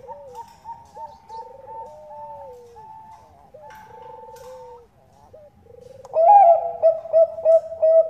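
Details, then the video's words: Female Bangkok-bred zebra dove calling a male as a lure: quiet trilled coos and an even higher note repeated at short intervals, then a sudden loud burst of ringing, pulsed coos near the end. "PANCINGAN PERKUTUT BANGKOK GACOR"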